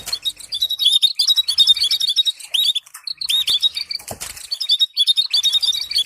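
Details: Canary song to train canaries in singing, with stimulating trills: continuous fast warbling and rising slurred whistles, with a sharp click-like burst around four seconds.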